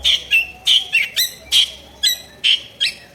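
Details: Drongo in lively voice, recorded as harsh-sounding fill for training songbirds: a steady series of loud, slightly buzzy whistled notes, about eight in three seconds, some with a rising twist.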